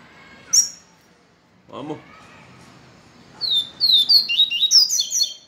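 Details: Papa-capim seedeater worked up by a day with a female: a sharp chip, a soft human voice, then a rapid high twittering song phrase near the end.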